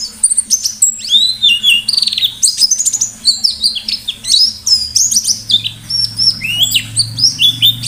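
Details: Caged white-eye singing energetically as a lure for other birds: a varied high-pitched warble of sweeping whistled slurs and quick chirps, dense and fast, with a low background hum.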